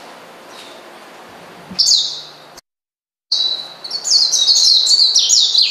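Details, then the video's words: Oriental white-eye calling to a rival to provoke and anger it; after a quiet stretch and a brief break, a dense run of very high, thin twittering notes, each sliding downward, tumbling rapidly about four per second. "pleci manggil lawan bikin lawan emosi dan edan"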